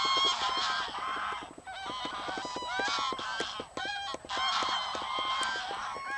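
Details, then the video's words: On the afternoon of 21 November 2009, over 500 greylag geese and about as many lapwings rise together from a field at the WWF Bentivoglio former-ricefield oasis to land in the ponds: continuous overlapping nasal honking with other flock birds mixed in. "Volo di Oche selvatiche e Pavoncelle"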